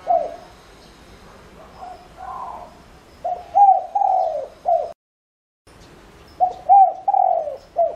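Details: Spotted dove decoy cooing to attract others: faint background coos, then two clear phrases of a bright upslurred note, a long descending coo and a short clipped note, split by a brief silent gap.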